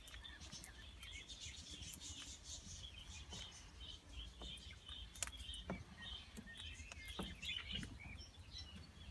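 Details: A captive red-fronted kakariki father feeding with his young chicks on seeds, dried fruit and lettuce gives soft, high chirps and short chattering notes scattered irregularly, over a low steady rumble.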